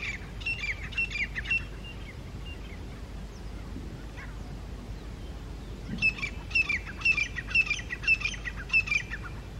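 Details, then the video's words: Grey francolins (teetar) challenging a rival group at their territory on rocks, early morning, October 2022, wild: loud, shrill, repeated whistled notes about twice per second, a burst at the start, a pause, then a longer series. "GREY FRANCOLINS Loud sounds | Teetar birds FIGHTING Sounds"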